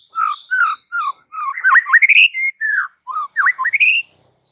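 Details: White-rumped shama (murai batu) masteran recording: clear fluty whistles starting low and steady, then climbing into looping, upward-sliding notes ending in a sustained high whistle.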